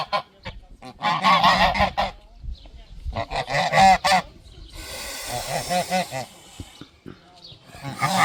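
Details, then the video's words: Several geese in a garden give a loud alarm while protecting their territory: harsh, nasal honking bursts calling over each other, then a long raspy hiss before honking again. "Goose Alarm - Hissing Sounds"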